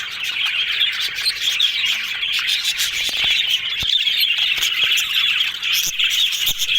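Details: Happy talking yellow budgies: steady high warbling babble with sharp chirps and squeaks scattered through, and a few faint clicks in the background.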